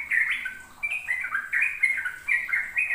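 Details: Brief stretch of sooty-headed bulbul ropel song for training young birds: three or four quick bursts of bright, slurred warbles separated by tiny gaps.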